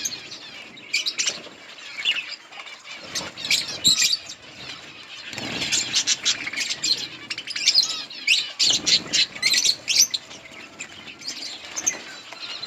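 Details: Colony of pet budgerigars eating green leaves, giving dense overlapping high chirps and chatter, bursts of rapid notes with short quieter pauses and some rustling or wing sounds.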